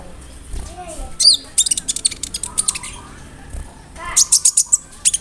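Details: Konin singing with mimicked cricket, brem, kamade and rambatan phrases, meant as tutoring material for murai, canary, cucak ijo and lovebird; a down-slurred whistle, then clusters of piercing high clicks and chirps.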